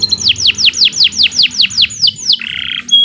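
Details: A canary's long song phrase of about ten loud, repeated downward-sweeping whistles at roughly four per second, ending in a quick buzzy trill and a thin high note.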